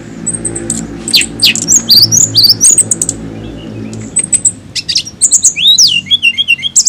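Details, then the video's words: Rapid, busy flycatcher song: a continuous stream of very high, thin, twittering notes and sweeping whistles, some sliding up and down, packed closely with brief pauses, over a faint low rumble. "TLEDEKAN AUTO BUNYI DENGAR INI"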